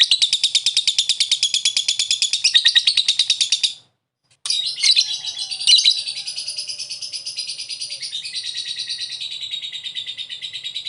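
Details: Lovebird call meant to prompt another lovebird to call: a fast, dense run of high harsh chattering notes, a brief silence, then a looser, trilling, buzzy chatter that continues and fades slightly.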